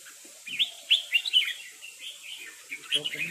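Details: Short exchange of rik calls between red-whiskered bulbuls, a resident territorial bird facing a newcomer: quick sharp chirps and slurred whistled notes in small clusters, faint low sounds at the end.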